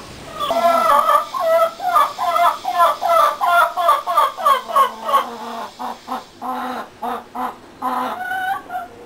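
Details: Backyard chickens in a small rural coop. A loud, rapid run of harsh, harmonic clucks comes about three per second, then slows into separate, spaced clucks toward the end.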